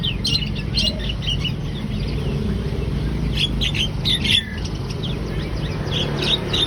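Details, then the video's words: Javan myna singing in full voice: scattered sharp, high chirps and short squeaky notes in irregular clusters, heard over a heavy, steady low rumbling background noise. "Jalak kebo gacor"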